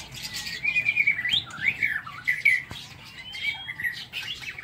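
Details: White-rumped shama singing in an aviary in the morning: a run of clear, varied whistled phrases that slide up and down, with quick rising notes and short gaps between bursts.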